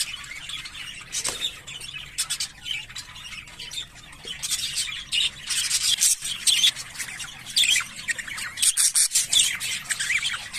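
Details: Harsh squawky chatter from English Fallow budgerigars, visual and carrier birds, in loud scratchy bursts separated by short gaps, with thin high squeaks between them.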